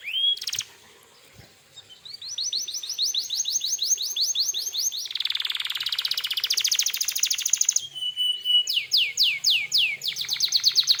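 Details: Canary song for drawing replies from other canaries: a sharp opening note, then long fast trills of rising sweeps, a dense buzzy rattle, a brief whistle and a closing run of rapid downslurred notes.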